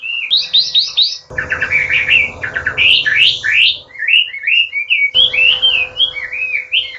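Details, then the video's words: Chinese hwamei (wambi) in full song on a training recording for cage birds, meant to rouse rival birds. Fast, varied run of rich whistled phrases, some slurred and some in quick stuttered notes, with a steady low hum behind. "SUARA MASTERAN BURUNG HWAMEI ATAU WAMBI GACOR"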